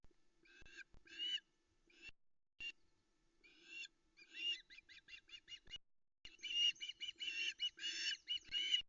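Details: Misty early morning, 13 August 2020, Loch Arkaig: a female osprey on her nest calls for a fish delivery, with scattered harsh whistles building into a fast run of short chirps and then dense, continuous piping.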